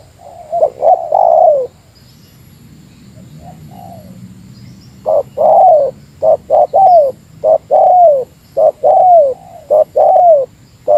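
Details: Spotted dove using a meratus-style lure call toward a rival: an opening hoot-and-coo phrase, a quiet pause with soft notes, then a steady run of short hoots and long falling coos.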